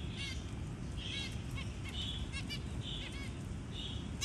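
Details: Zebra finch feeding a tiny newly hatched chick; five or six drawn-out buzzy nasal notes separated by short stacked chirps, over a steady low hum.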